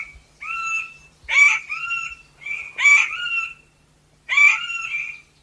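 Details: Chestnut forest rail, a small rail of montane forest, giving harsh raspy notes: five rough, buzzy calls with a strong overtone band, some drawn out and slightly falling, spaced irregularly about a second apart, with no other sounds.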